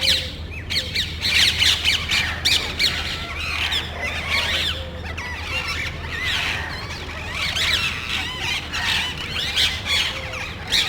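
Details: Small group of parrots in a residential neighborhood searching for nest sites, checking electrical and TV cable boxes, calling loudly as if quarreling before flying off; dense, harsh, overlapping screeches and squeals throughout, over a steady low hum.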